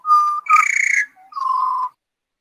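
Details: Australian butcherbirds, four birds together in song: a pure held whistle, a burst of richer warbling overtones, then a short low note and another long, steady fluted tone.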